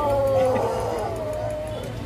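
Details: Pelung chicken crowing at a crowing contest at a durian agritourism site in Karangrau village, Banyumas; a long, drawn-out tonal crow of about two seconds, sliding slowly lower, over a low hum of crowd murmur.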